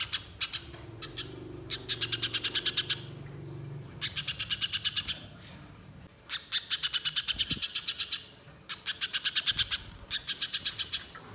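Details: Singing spiderhunter giving a long chattering lure call for the wild: four extended bursts of rapid, buzzy, high ticking notes with pauses between, a low rumble under the first half.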